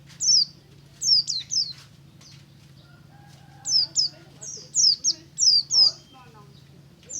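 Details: White-eye (pleci buxtomi) singing in ngalas style in the morning: high, thin, downslurred chirps in quick pairs and short bursts, with pauses between, over a steady low hum.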